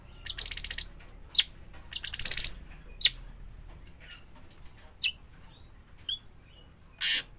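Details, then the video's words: Juvenile cucak cungkok, or sooty-headed bulbul, giving two rapid buzzy rattles and a few piercing chirps. Quieter, sparser high notes and one hissing burst follow. "burung cucak cungkok trotolan"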